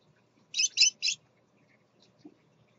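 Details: Scarlet-chested parakeet, a father with his chicks, captive: three quick harsh chirps in close succession, then quiet with faint background rustle.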